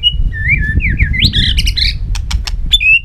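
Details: Caged white-rumped shama, excited and flapping while running along its perch, singing to stimulate competitive singing: a fluid run of whistled, warbling notes that rises and falls, then sharp clicks and a final bright whistle.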